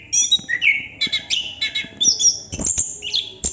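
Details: Chestnut-capped thrush singing 'ngerol' style: a sweet rising whistle, then rapid warbled phrases and high thin notes in a steady stream.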